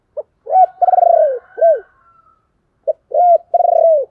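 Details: Spotted dove cooing played as a lure call: short clipped note, then a low rolling coo and a long falling coo, a pause, and the same phrase repeated, loud and clear.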